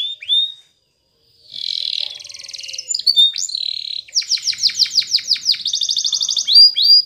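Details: Canary singing for training, beginning with a short whistle and a pause, then a buzzy warble, a string of fast descending sweeps, and a quick high rattle.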